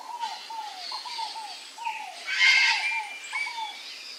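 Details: Male pale-crested woodpecker feeding on papaya gives a run of short, downslurred notes in quick succession, with overlapping arched calls and a brief burst of rustling noise midway.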